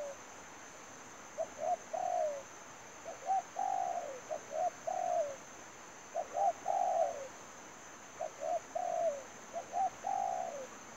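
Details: Spotted dove serving as a trapping lure, cooing in repeated phrases roughly every three seconds. Each phrase has clipped low notes and ends in a longer downslurred coo, with a steady high electronic-like whine behind.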